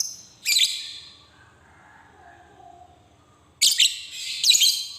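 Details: Lovebird ngekek, used as a lure for silent lovebirds: a loud harsh high screech, a quiet pause with faint low background hum, then a chattering burst of grating notes.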